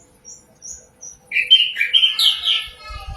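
A common nightingale sings a rich, varied phrase: a few thin high notes, then loud fluty whistles and slurred trills, with a low rumble at the end.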